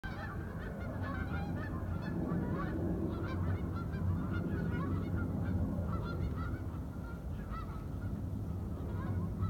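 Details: Flock of geese flying in falling snow at Northbrook, Illinois, January 17, 2020, about 4:30pm, honking steadily in a dense overlapping chorus of rapid nasal calls over a low background rumble.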